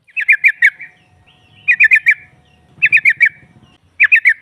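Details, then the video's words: Trucukan female calling to provoke rivals: quick four-note chirp groups repeated about every 1.2 seconds over a soft low rumble. "SEKALI PUTAR SEMUA TRUCUKAN NYAUT NGROPEL Seketika"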